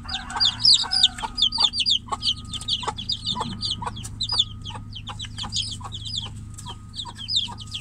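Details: Young chicken chicks penned inside a cage call for the hen beyond it: shrill falling peeps in rapid overlapping bursts, easing slightly later, with sharp taps throughout and a steady low hum.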